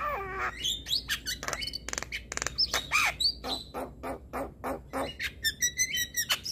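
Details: A male Javan myna gives a training song said to provoke other mynas. It opens with a falling whistled note, then runs of scratchy broadband rasps, clicks and short upslurred whistles, densely packed and irregular.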